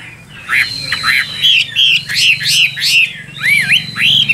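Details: Chinese hwamei song of jumbled whistled notes and harsher fragments, ending with a few clean looping whistles that rise and drop.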